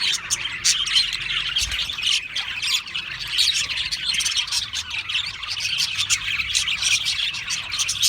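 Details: Busy chorus of Australian parrots: many high, scratchy chirps and squeaky notes pile on top of each other in a steady, unbroken twittering babble, with one faint low thump partway through.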